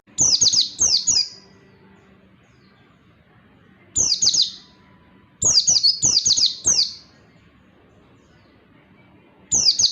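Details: Tutor song of an Oriental white-eye for training lazy singers: piercing, rapid twittering phrases of falling notes, delivered in clusters with pauses of about two seconds, faint hum behind.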